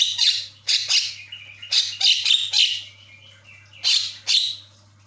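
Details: Asian pied starling (jalak kebo), a caged bird, played as a lure to make a silent bird chatty; loud harsh squawking notes in rapid irregular bursts, some with a whistled strand, over a constant low electrical hum.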